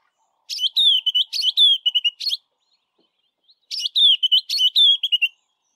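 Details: White-browed Scrub Robin singing west of Grahamstown, repeating the same phrase over and over: two bright, rapid whistled phrases of chirping notes, each about two seconds long, separated by a short silence.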